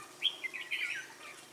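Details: Red-whiskered bulbul at Ba Thá bird trapping, 18 December 2016, lure bird calling wild birds; a short, bright warbled phrase of quick whistled notes lasting about a second, with people talking faintly around it.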